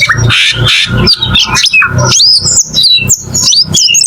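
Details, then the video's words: Cucak keling mixing harsh, rough squawks with squeaky rising and falling whistles, in short loud bursts separated by brief pauses. "MP3 BURUNG CUCAK KELING"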